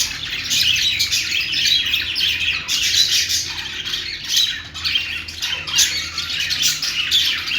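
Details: Budgerigars singing: a dense, continuous warble of scratchy chirps, squawks and twittering notes, high-pitched and overlapping, with brief dips in loudness around the middle.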